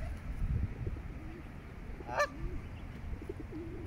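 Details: A greylag goose with goslings in Regent's Park, London, in June 2024 gives a single short, nasal honk midway, with soft low murmuring calls around it over a steady low rumble of wind.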